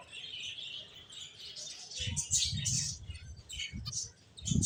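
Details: ['Finches chirping steadily: a run of high, squeaky notes, with low fluttering thumps under the second half.']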